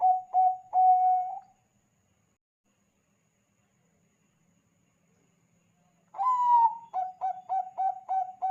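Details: Bangkok-type zebra dove singing eagerly, played to lure other doves into calling: a short clipped fragment, a long pause of near silence, then a drawn-out rising-falling coo followed by six quick clipped notes.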